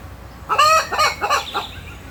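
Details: Rooster crowing while chickens and rabbits forage for food in the grass: one short, harsh crow broken into four quick descending segments, over a quiet background.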